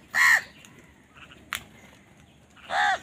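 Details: Two harsh crow caws bracket a quiet gap with a sharp click, recorded while crows fight over food.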